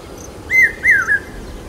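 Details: A single loud phrase of a common hawk-cuckoo during the monsoon in Aurangabad, where its call signals rain. Three quick shrill whistled notes, each rising and falling.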